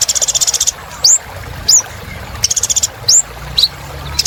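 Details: Kolibri ninja (little spiderhunter) singing loudly as therapy for birds gone quiet: a long buzzy trill, then sharp rising high whistles interspersed with brief rattling trills.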